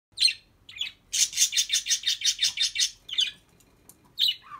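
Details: Pet budgerigar at home that imitates the household dog and chatters phrases on its own: a rapid run of bright, buzzy pulses repeated nearly three times a second, framed by a few short scratchy chirps.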